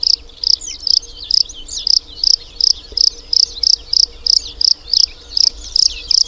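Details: Bluethroat song made of a fast, metallic note repeated almost three times a second in a steady rhythm. Brief twisting whistles and chirps weave between the pulses.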